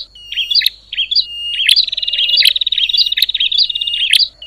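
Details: Bar-winged prinia making a racket that stirs other prinias: a few short high whistled notes with clicks, then a sustained rapid chirping trill punctuated by sharp accented notes through to the end.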